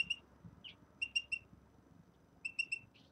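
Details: Caged common redpolls in a new cage give two bursts of three quick high clipped notes, each followed by a short buzzy note, over low background hum.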